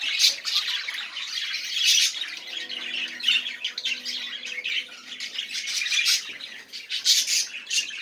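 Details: Budgerigar song offered to get silent budgies singing: a steady stream of scratchy, buzzy chatter and short squawks, with faint low steady tones drifting underneath in the middle.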